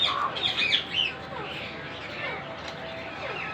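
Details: Baby monk parakeet chicks during feeding give rapid, squeaky, rising and falling begging chirps, loudest at first, then fading to softer calls.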